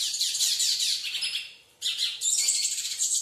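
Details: European goldfinch fighting with a nail in a wall: dense, high, scratchy twittering and chattering, harsh and continuous, broken by a brief quiet gap near the middle before resuming.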